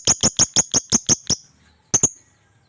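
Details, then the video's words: Lovebird described as super gacor, very vocal, giving a quick run of eight sharp, shrill chirps at an even pace, then a brief pause and two more piercing chirps; little else is heard. "burung Lovebird super gacor abis"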